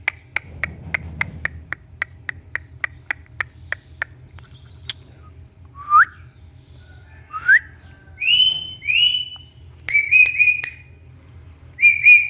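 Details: Pet Indian ringneck parakeet said to be talking: a run of sharp ticking clicks, then separate rising whistled notes and warbled, slurred whistles in short bursts, over a low steady background hum.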